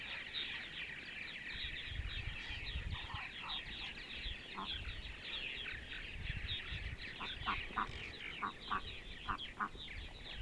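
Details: Central Ohio, sunny Sunday morning: purple martins keep up a dense high chatter, with repeated short lower notes toward the end and intermittent low rumbling, like wind, underneath.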